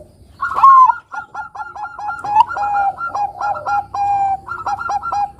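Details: Actively singing Bangkok zebra dove, used to prompt juvenile doves to sing: a bright rising note, then a long rapid series of staccato coos broken by a few longer level coos, repeated almost continuously.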